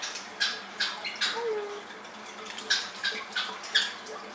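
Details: Pet blue-coloured Indian ringneck (rose-ringed) parakeet giving short, harsh, rasping squawks in an irregular series, about one every half second, with faint room noise behind.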